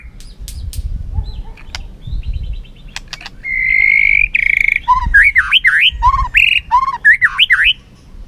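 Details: White-rumped shama in a singing contest, flicking its tail: scattered clicks and a soft rattle, then a sustained buzzy whistle, followed by loud looping whistled phrases alternating low and high notes.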